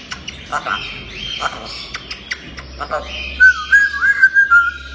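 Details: Pet grey parrot, described as playful and talking, giving a run of sharp clicks and short squawks, then a clear wavering whistled phrase in the second half.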